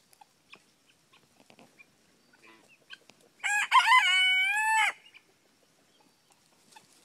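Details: Young Frizzle Cochin bantam rooster trying to keep up with the big roosters crowing: a single loud, harmonic crow lasting about one and a half seconds, rising at the start, then held level. Soft clucks and faint rustles come before it.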